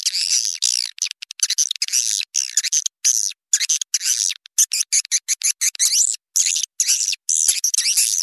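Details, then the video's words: Swiftlet lure call used to attract swiftlets for swiftlet farming: rapid, high, buzzy twitters broken into short choppy bursts with brief silent gaps between them. "Suara Walet Panggil Tarik Luar"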